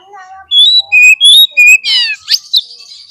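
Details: Oriental magpie-robin provoking song for fighting birds: four loud pure whistles alternating high and lower pitch, followed by a raspy buzzy note and harsh chatters.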